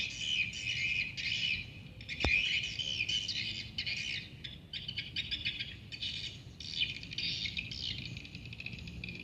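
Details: Swiftlets at a swiftlet house, a dense, continuous chorus of high, rapid chirps and twitters in overlapping bursts with brief lulls, plus a single sharp click early on.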